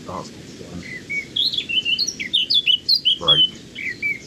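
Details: A male Eurasian blackcap singing deep within scrub in the Chilterns gives a quick, scratchy warbling phrase of varied high notes, shorter than a garden warbler's song, with a couple of dull low thumps in the background.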